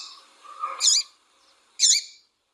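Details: Female double-collared seedeater, brownish and darker on the back, calling to stimulate a male into singing: two sharp high chirps about a second apart, preceded by a softer lower warbling murmur.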